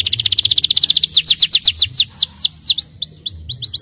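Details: Starblue canary song used to provoke young canaries into singing and rolling: a fast rapid trill of clipped notes, then slower sweeping downslurred whistles, loud and continuous, with low rumbling background noise.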